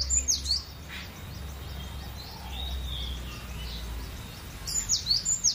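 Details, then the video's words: Cinereous tit song in a relaxed mood: high sliding whistle phrases open the passage, softer distant chirps and a low murmur fill the middle, and the ringing phrases return at the end. "GELATIK BATU..PLONG BANGET BERKICAUNYA.SUPER SANTAI.GACORR"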